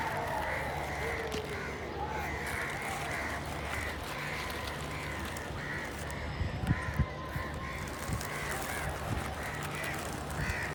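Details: Noisy crow chorus: a long run of rapid, harsh caws, about three per second, from more than one bird, with low rumbling noise and a few thumps beneath.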